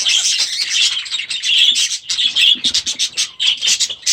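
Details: Young budgerigars in their new aviary, first days after release: loud continuous high warbling chatter, then a run of sharp separate chirps toward the end.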